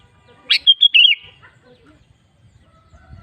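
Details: Sooty-headed bulbul singing a lure song meant to prompt other bulbuls to sing: one quick bubbling phrase of four or five warbled, slurred notes rising and falling, then near silence with faint low rumble.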